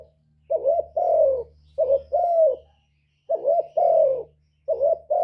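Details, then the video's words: Spotted dove, a calling bird used to lure wild doves, giving low, husky cooing phrases: a short two-part coo followed by a longer falling coo, repeated about four times with short pauses, in a quiet room. "CU GÙ CỰC SUNG BÀI BẢN DÙNG ĐỂ MỞ KÍCH CHIM BỔI, TERKUKUR, Tiếng chim cu, cu gáy kích bổi"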